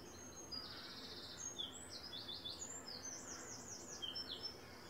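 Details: Eleven Mallard ducklings with four adults (three drakes, one hen), at a site where Mallards breed yearly. Overcast morning around 9:55am, 12 April 2024. Shrill whistled peeps in rapid zigzag series, continuous and overlapping, with faint background noise.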